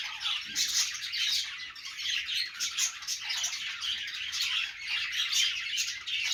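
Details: Contented budgerigar chatter: constant scratchy warbling punctuated by quick high chirps, a dense busy sound that rises and falls slightly in loudness.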